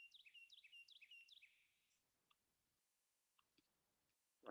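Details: Carolina Wren heard calling outside during a spring evening talk on birding at Still Pond Preserve, New Canaan: a loud, rolling whistled phrase repeated four times in under two seconds, then faint clicks and a brief rustle.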